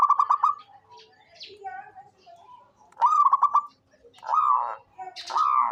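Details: Zebra dove of local stock, known as a keen caller, opens and repeats a fast, pulsed cooing phrase, with slurred calls from other birds and brief chirps in between.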